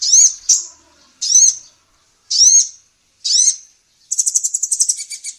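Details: A female sunbird (kolibri ninja) on a songbird training recording: four separate high upswept whistled notes about a second apart, ending in a rapid, buzzy trill.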